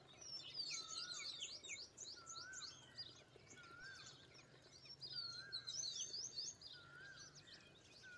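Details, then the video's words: Indian pied myna calling amid a busy bird chorus: dense high chirps and twitters, with a clear slurred whistle repeated about every second and a half, over a faint low hum. "Indian Pied Myna (Gracupica contra)"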